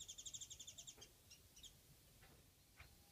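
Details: Japanese white-eye, a single bird visiting a house garden, gives a fast series of about a dozen thin, high twittering notes in the first second, then a few scattered faint chips against a steady hiss.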